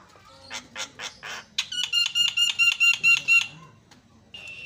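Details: Javan myna singing to provoke other mynas: a few harsh rasping notes, then a fast run of about eight evenly spaced, ringing, buzzy pulses, ending with a drawn-out high note.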